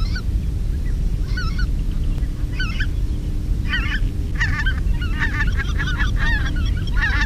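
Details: Greater white-fronted geese, recorded in 2016, give high, yelping, laughing calls in quick bursts, several birds overlapping, over a constant low rumble of wind; cut from a luring session.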